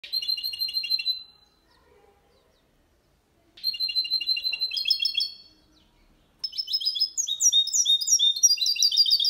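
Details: Goldfinch × canary hybrid singing a clean Malaga-style song, meant to stimulate males to sing; three bursts of rapid high twittering trills and chirps, separated by short silences.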